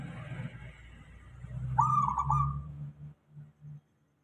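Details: Local zebra dove used as a lure to draw replies from other doves: one wavering, rolled cooing phrase near mid-pitch amid low rumbling noise, followed by a few short low hums.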